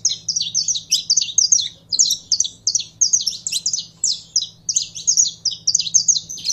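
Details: Saffron finch, a caged bird being brought into singing form, delivering a rapid, high chattering song of short sharp notes in bursts, phrases separated by brief pauses, with a faint low hum underneath.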